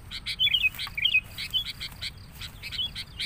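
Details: A noisy sooty-headed bulbul, used as a lure call for bulbuls, gives busy, bubbly chirps and short whistled phrases, about two notes a second, over a low background rumble.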